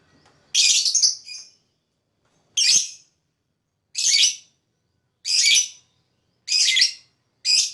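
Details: Lovebird calling to attract other birds, giving harsh, noisy high chirps in short bursts, roughly one every one to two seconds, with quiet gaps between.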